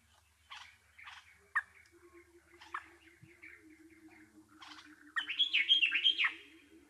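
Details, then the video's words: Bulbul chirping: several separate sharp chirps spaced about a second apart over a soft steady lower tone, then a loud burst of quick, looping warbled notes near the end. "Bulbul Sounds | Sound of Happiness and Peace | Bird chirping"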